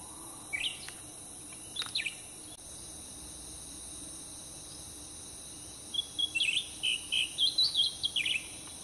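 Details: Ruby-throated Bulbul by a roadside in Sumatra, during trapping with a cage, gives two brief sharp chirps, then a quick run of bright warbled notes near the end, over a steady high insect drone.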